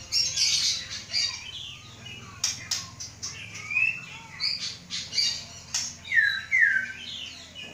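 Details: Captive Aceh white-rumped shama, a Samurai CBF offspring being readied for breeding; varied chattering song with scattered high notes, sharp clicks and two bright upward-swept whistles near the end.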